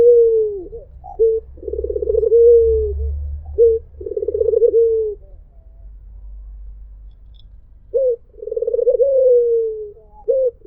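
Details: Several coos from a white Barbary dove, each a short note and rolled vibrating phrase with a falling finish, separated by a quiet pause of a few seconds with a low rumble behind.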